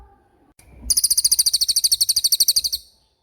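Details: Racket-tailed treepie delivering a fast rolling song. After a short silence, a rapid metallic chatter of about twenty bright, evenly spaced notes runs for roughly two seconds, then stops abruptly.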